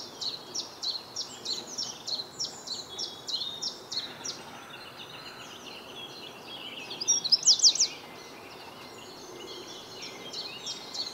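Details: On a chilly April morning in Reading, UK (9 April 2022), a Eurasian wren sings with visible breath: steady high ticking notes several per second, then a sudden loud, fast, shrill trill near the end.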